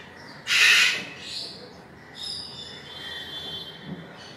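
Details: ['Sulphur-crested cockatoo (Cacatua galerita) letting out a single loud, grating half-second screech, followed by quieter, thinner tonal squeals and faint squawks.']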